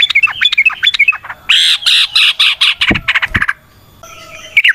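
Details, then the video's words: Yellow-vented bulbul (trucukan) in long rapid song, used as a lure for other trucukan: whistled notes, then loud harsh squawking bursts in quick series, two deep thumps, and a quieter whistled phrase at the end. "Trucukan GACOR ngalas ROPEL PANJANG suara alam AMPUH buat pancingan"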